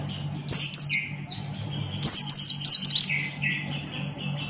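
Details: High, squeaky down-slurred notes from a male Buxton's white-eye singing 'ngalas' with open beak, mixed with lower trilled notes in quick sequences; a faint low hum and background murmur persist.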